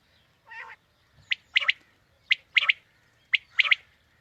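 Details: Quail calls used to lure quail for a morning hunt: one nasal note, then crisp, sharp notes in quick pairs and triplets, like whit wit-wit, repeated about once a second in quiet surroundings.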